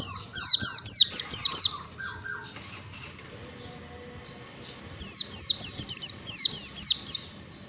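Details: Oriental white-eye song used as a training recording for caged birds: bursts of high, sharp, downslurred chirps in rapid series, a pause with faint twittering, then another loud chirping burst.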